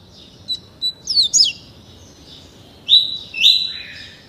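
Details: Young caged double-collared seedeater (coleiro), only 30 days old, tutored in the tuí tuí Alcântara song style: short high chips, a burst of quick descending sweeps, then two longer bright whistled phrases after a pause.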